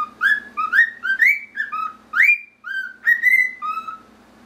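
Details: Grey male cockatiel whistling the melody Pop Goes the Weasel toward his male cagemate: crisp ascending whistles, some sliding up, others held flat, in a quick rhythmic sequence with a low steady hum beneath.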